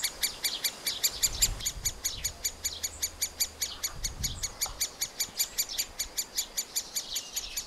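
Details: Feeding of young middle spotted woodpeckers at their nest hole, captured with a Panasonic FZ2000: insistent high-pitched chips repeated rapidly, about five per second, with brief low rumbles in the background.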